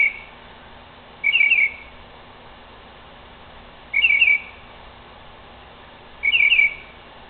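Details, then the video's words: Northern mockingbird at night in a tree, producing a harsh, buzzy rattling burst about every two and a half seconds, three times, with quiet hiss between. "Mockingbird Makes Noises In A Tree"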